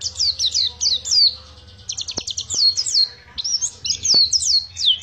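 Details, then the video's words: Pacitan (Oriental white-eye) singing a long ngriwik phrase: bright high descending slurred whistles in tight bunches, a short chattering run, and a few sharp clicks over a soft low hum. "Pacitan Ori Ngriwik panjang"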